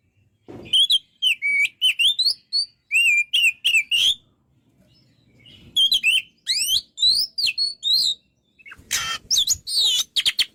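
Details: Kacer, the white-rumped shama, singing vigorously: quick sequences of whistled, swooping notes and sharp chips, with a pause mid-phrase and a harsh, rasping burst near the end.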